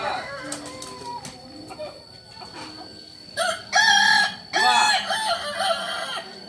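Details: Crowing Kukuak Balenggek rooster from Solok: after some quieter clucks and clicks, two loud bright crow phrases follow, separated by a short gap, each wavering and stepped in pitch.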